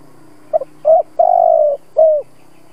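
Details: Lure coo of a spotted dove meant to get doves cooing: faint double note, short coo, long steady low coo, then a downward-ending final coo, with a low constant hum underneath.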